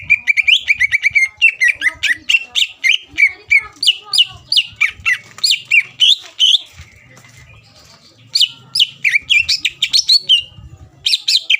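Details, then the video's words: A greater green leafbird's rapid, varied song for stirring up rival birds, full of chattering whistles and mimicking-like slurred notes, broken by a quiet gap with faint low background hum before singing resumes. "PANCINGAN CUCAK IJO GACOR MEMANCING EMOSI LAWAN LANGSUNG NYAUT"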